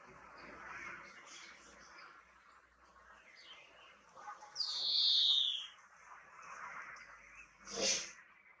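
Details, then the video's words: A European greenfinch gives one long buzzy wheeze, falling gently in pitch, over soft background twittering and chirps. A single sharp click-like sound follows a few seconds later. "Vogelstimmen: der Grünfink"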